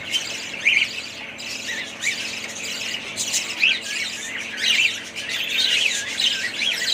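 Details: A group of family budgerigars gives harsh squawks mixed with quick rising and falling chirps over a constant background of chatter.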